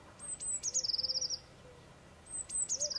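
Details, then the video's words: Singing Eurasian blue tit: a couple of sharp, very high introductory notes, then a rapid silvery trill of about ten notes, followed by the start of another phrase. Soft low whistling in the background. "Blue titmouse singing 🔷 Bird song 🔷 Blaumeisen singen 🔷 kék cinege énekel"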